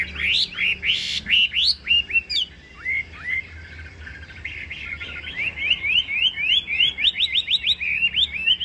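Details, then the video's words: A tame, near-show-ready caged Chinese hwamei sings a loud, varied run of whistled phrases, sliding notes giving way to rapid, repeated high chirps about four per second. "Họa mi"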